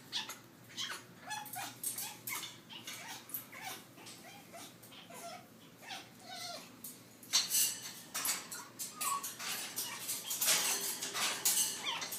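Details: A hormonal pet African grey parrot coming of age, at that time of year, makes a run of harsh, raspy clicks and hisses, with a few short whistled slides mixed in. The bursts come in irregular groups and grow louder near the end.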